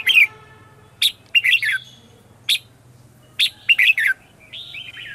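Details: Red-whiskered bulbul morning song, used as a lure to call wild birds and train captive ones: short bubbly phrases of two to four quick notes, some with sharp clicky onsets, with gaps between; a softer warbling phrase closes, over a faint low hum.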